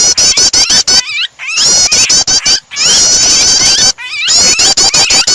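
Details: Mix of prinia calls and a distressed bird used to trigger singing in other birds; volleys of sharp clicks with strident squeals, interrupted by three short silent cuts.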